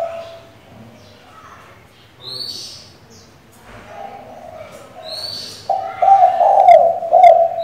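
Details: Female spotted dove calling the male to provoke a decoy: soft low cooing builds to a loud, throaty rolling coo at the end, with scattered high chirps from other birds.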